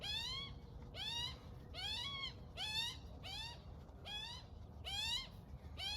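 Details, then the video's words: Young magpie beside its feeding mother in the morning, calling insistently: a steady run of rich, nasal wheezy squeals, each bending upward then falling, roughly one per second, with a soft low rumble underneath. "Baby Magpie with Mum Making Sounds"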